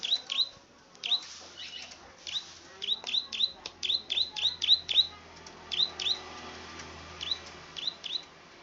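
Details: Plain prinia, called klik-klik bird or rice-field bird, singing a series of sharp, high upslurred clicks in short bursts, roughly two to four per second, with faint low rumbling underneath.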